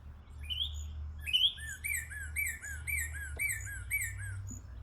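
A Northern Cardinal gives two rising whistles, then a steady run of clear down-slurred notes, about two per second, over a low hum.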